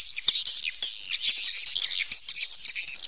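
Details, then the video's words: High swiftlet twittering recorded in a cave, an unbroken wash of thin, squeaky chirps with a few louder clicks scattered through it. "suara panggil walet asli alami rekaman dari goa"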